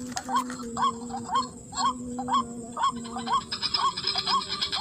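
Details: White-breasted waterhen lure call in a rice field: quick rising hooked notes at about half-second intervals, with hissing noise and a low electric-like hum, brighter chatter near the end.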